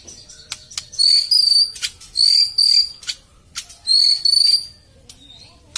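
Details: White-rumped shama lure song with long, high, steady whistles held about half a second each in three paired bursts, separated by sharp clicking notes and short pauses.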